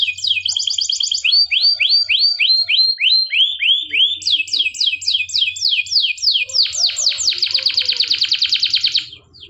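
A canary sings in quick tours: a rapid high trill, a run of sliding down-slurred whistles, then rising sweeps ending in a dense, buzzy rolling trill.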